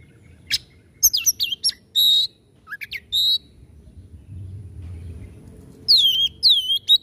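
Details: Kacer, the white-rumped shama, in spirited song used to rouse slow birds: bright rising and falling whistles and buzzy notes in an opening burst, a pause, then rich looping whistled phrases.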